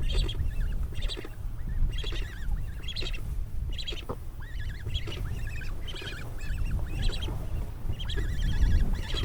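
Cory's Shearwaters give harsh, nasal, wailing calls in quick repeated bursts, about one a second, over a steady low rumble of wind or surf.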